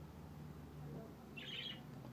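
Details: Pet budgerigar, one of a caged pair (male and female) kept indoors in Jamaica, giving a single brief, scratchy chirp over a low indoor hum.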